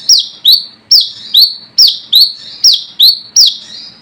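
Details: Rival-calling brown-throated sunbird, wild bird known locally as Wicet: bright, piercing chirps, each sliding downward, given in an even run of about nine notes.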